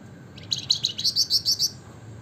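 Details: Javan fulvetta (flamboyan) delivering a brief, rapid string of roughly ten high, clear notes that grow louder toward the end, sung in the gacor ngebren manner, with a faint low hum underneath.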